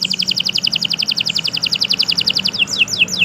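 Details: Canary in long, vigorous song: a rapid chattering trill of high pulses, then slower downward-sliding whistled notes toward the end.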